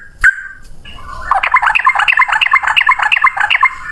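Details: Yellow-vented bulbul in ropel style, a long single-breath song: after an opening sharp note, a rapid run of bubbling, chattering notes, repeated several times a second and rising and falling, in a quiet setting.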